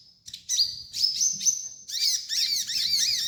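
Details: Sunbird (kolibri ninja) used for training untrained birds: a continuous high, thin warble. A drawn-out level whistle comes first, then rapid chattering, hooked notes.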